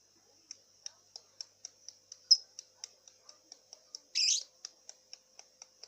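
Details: Young lovebird about two and a half months old, being trained while it learns a hoarse, cough-like voice: a steady series of short high ticks, then one loud harsh rasping squawk.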